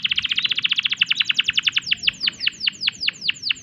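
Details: Canary in breeding condition giving a quick rolling trill that gradually slows into separate falling whistled notes, each note clear and evenly spaced.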